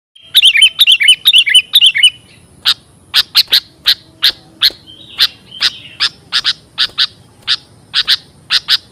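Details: Sooty-headed bulbul lure call used for trapping and for training birds: repeated bubbly whistled phrases for two seconds, then a long series of sharp, clipped chip notes at an uneven rhythm.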